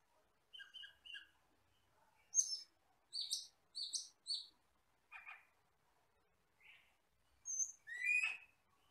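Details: Asian glossy starling, a forest bird said to be glossy black with red eyes, singing for tutoring: paired short whistles, then loud sharp high chips in quick pairs, a buzzy note and a closing rasping burst.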